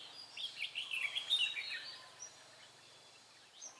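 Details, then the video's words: Decoy red-whiskered bulbul singing during bird trapping on 23 March 2018; one quick, busy phrase of high, slurred chirps and warbles in the first two seconds, then fading to quiet background hiss. "Bẫy chào mào Mí lửa Bắn như AK ché rát"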